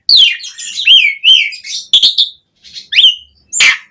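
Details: Asian pied starling singing fully to push caged birds into song: rich, slurred whistles and grating chatter in quick succession, a brief gap, then a rising whistle and a final harsh squawk.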